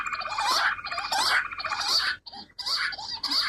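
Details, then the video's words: Rock bush quail calling in harsh, chattering whistled bursts, repeated roughly every second with a brief pause midway; a quail call used for hunting (shikar), loud and somewhat distorted. "Bater ki awaaz rock bush Quail shikar ki awaaz"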